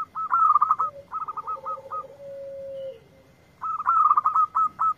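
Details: A lively local zebra dove answers a lure recording with staccato trilled bursts, a long flat low coo, then more rapid clipped notes slowing into separate beats at the end. A constant faint high-pitched hum runs throughout.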